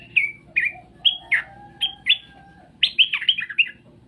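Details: Straw-headed bulbul singing separate rich whistled notes spaced about half a second apart, then a fast tumbling run of warbling notes near the end; steady low hum underneath.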